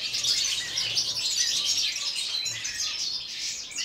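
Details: Aviary-kept European goldfinches in winter, minus four degrees, all singing: bright overlapping twittering and fast tinkling phrases fill the short stretch, fading slightly near the end.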